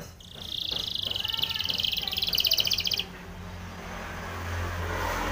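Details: Spanish Timbrado canary singing a training song: a fast, even, buzzy high trill held for about three seconds, then stopping abruptly, leaving low background hum and faint noise.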